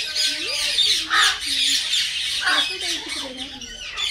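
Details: Common myna, a tame pet bird said to be talking, mixes wavering low voice-like tones with raspy, hissing bursts and squeaky chatter throughout.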